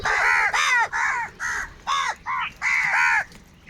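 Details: Large flock of crows fighting for food: a steady run of loud, harsh, arched caws, about eight in quick succession, some drawn out.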